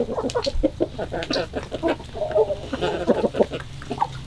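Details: Chickens in the morning, February 2022: a busy flock of rapid, low clucks in irregular bursts, many birds overlapping, with a faint low hum underneath.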